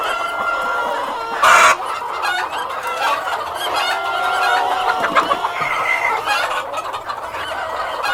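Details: Cockerel with hens calling together, a crowded mix of clucking and cackling with steady held squawk notes, one loud harsh burst near the second mark, chatter carrying on evenly to the end.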